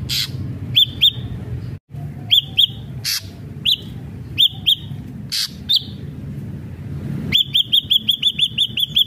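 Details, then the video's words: Ashy drongo in full song, a lure to set other ashy drongos singing: spaced arched whistles with harsh rasping bursts, ending in a fast even run of about ten identical hooked whistled notes. "srigunting abu abu gacor AMPUH BUAT pancingan srigunting abu biar bunyi"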